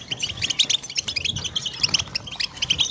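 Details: European goldfinch chorus used to stimulate singing: quick, sharp, tinkling notes and short squeaky phrases, overlapping and repeated in fast bursts across the whole stretch.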